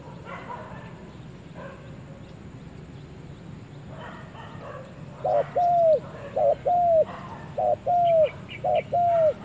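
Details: Spotted dove taken to the forest for the first time; after a few seconds of background noise and faint calls, it gives four paired coos, a short note then a longer arched one, roughly once a second.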